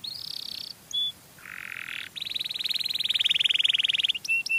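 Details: Canary singing as a lure for other canaries: a high whistled note, a lower buzzy trill, then a long rapid rattling trill of evenly repeated notes ending in sharp chips, over constant hiss.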